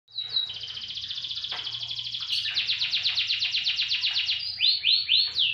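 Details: Domestic canary singing a fast, continuous song: a long buzzy trill, then rapid repeated notes about four per second, ending in clear down-slurred whistles, with faint low hum behind.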